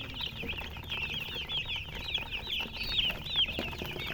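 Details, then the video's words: Chicken chirping: looping, wavering high peeps in short bursts, about two per second, several calls overlapping and some louder ones standing out, over a low steady hum. "silly chicken chirping sounds with murgi hen color chicken"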